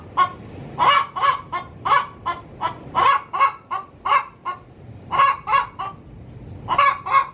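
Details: Hen in her coop before laying an egg, cackling in steady runs of loud harsh clucks, about fifteen over seven seconds with brief pauses.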